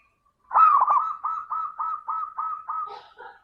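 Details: Zebra dove (local perkutut) singing as a lure for other doves: a single long phrase, a ringing coo followed by a steady run of about seven evenly spaced short cooing notes, then faint higher chirps at the end.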